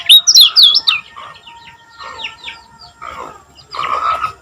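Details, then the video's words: Lombok common iora singing, meant to lure other ioras into song: several loud, high whistled notes in quick succession open the clip, followed by softer chirps and a short buzzy trill. "Ampuh Untuk Pancing Bunyi Kecial Kuning Agar Cepat Gacor"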